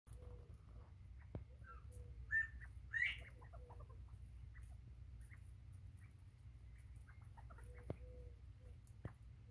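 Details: Bobwhite quail recorded 9/24/2023: a short flat whistle followed by a sharply rising whistled note, like a two-part call, with soft low clucking notes scattered around it over a steady low hum.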